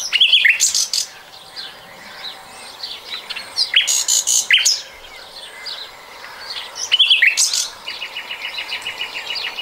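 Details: Recorded in 2020, a common nightingale repeats loud churring, rattling phrases roughly every three seconds and closes with an even, rapid series of identical short notes.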